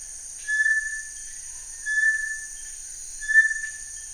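Bartlett's Tinamou song: three long, level, pure whistles about a second and a half apart, over a steady high insect hum.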